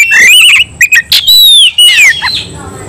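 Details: Agitated Oriental magpie-robin singing aggressively, as in a fight: rising and falling whistles broken by a sharp burst, then looping high slurred notes, very loud and close.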